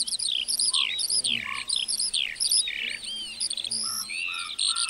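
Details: Lark song in a meadow: rapid, sliding high whistles and twitters, with a few lower, shorter notes from behind.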